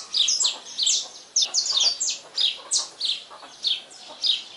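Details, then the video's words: Saffron finch singing a lot at daybreak: a lively run of sharp, high chirps and quick slurred notes, bursts coming about twice a second, with little else in the background. "Canário-da-terra cantando muito ao nascer do dia - Canto do Canário-da-terra ao nascer do dia"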